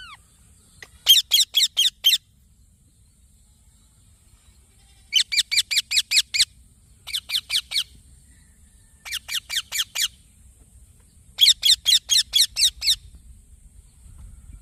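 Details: Green baby parrot chirping in repeated bursts of five to seven quick, raspy notes separated by short pauses, roughly two notes per second within each burst, over a quiet background with a faint high hiss.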